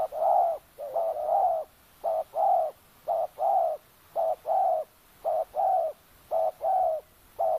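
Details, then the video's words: A decoy spotted dove coos rhythmically in a Sabah oil palm plantation at Kampung Luagan, luring wild doves. Seven or so short-then-long coo pairs follow one another about once per second, even and resonant. "Suara tekukur enak"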